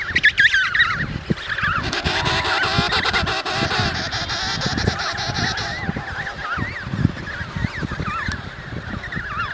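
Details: Adult emperor penguins calling across their crowded, windy Antarctic colony; an opening warbled call is followed by a dense chorus of overlapping quavering calls and a broad hiss of wind-like noise.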